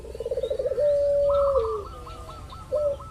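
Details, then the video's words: Local zebra dove used as a lure to make other doves call: a fast fluttering trill runs into a long steady coo that dips at the end, followed by a soft series of higher beaded notes. "pancingan burung perkutut lokal ampuh , perkutut lokal jago memancing lawan bunyi"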